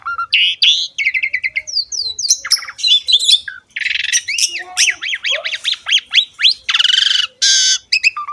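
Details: Asian pied starling training song for young or reluctant songbirds: a loud, varied run of grating squawks, rapid chattering, high slurred whistles and swooping zigzag notes, delivered almost continuously.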